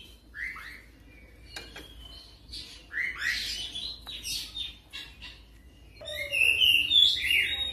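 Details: Oriental magpie-robin song used as a training lure for fast rolling song: varied short whistled and chirping notes with harsher bursts, growing louder and busier toward the end.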